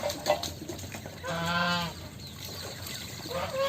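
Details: Goose playing in water gives one nasal, harmonic honk lasting over half a second near the middle, with fainter calls at the start and end over a steady noisy background.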